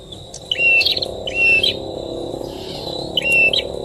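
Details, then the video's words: Bar-winged prinia near its nest, known locally as prenjak tamu, gives three clear chirped phrases of quick slurred notes, each about half a second long and a second apart, over a low steady background hum. "prenjak tamu"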